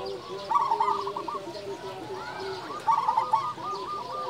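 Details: Local zebra dove singing loudly: two phrases of quick, trilled coos that end in a few spaced notes, with a softer, lower dove cooing and a gentle background hiss.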